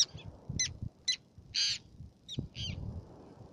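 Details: Black-naped tern on Fares island, Baa Atoll, Maldives, giving scattered short, scratchy high calls with one longer buzzy rasp near the middle, spaced unevenly over a soft low background rumble.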